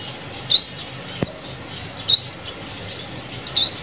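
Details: Sunbird call used to lure birds onto lime sticks: three thin, rising chirps spaced over a second apart, with a single sharp click between the first two.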